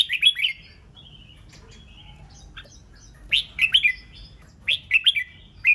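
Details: Red-whiskered bulbul singing the 'ché nẹt' style meant to rouse rival birds: loud warbled phrases at the start and end, with soft thin whistles and chips between them.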